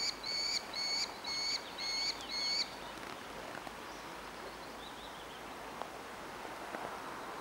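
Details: Orphaned young Merlin at Engerdal, 4 July 2011, begging for food: five quick, high, ringing squeals in under three seconds, then only faint background hiss and a distant soft chirp.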